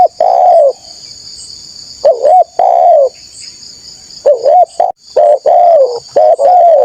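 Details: Spotted dove used as a lure to draw out wild doves looking for rivals: deep two-part coos, a short dipping note then a longer falling one, in bursts with pauses, over a steady high insect buzz.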